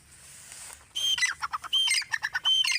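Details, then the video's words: Grey francolin (teetar) call starting after a second of faint hiss: loud squawky notes with shrill whistled tones, repeated quickly in short phrases. "Teetar voice | grey francolin dakhni teetar sound | irani teetar ki awaaz"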